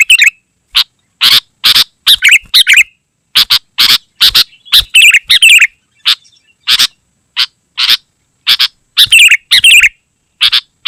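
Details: Dense singing of a sooty-headed bulbul, for luring wild birds and tutoring caged ones: harsh, noisy notes interleaved with liquid chattering phrases, delivered in an irregular, almost unbroken stream.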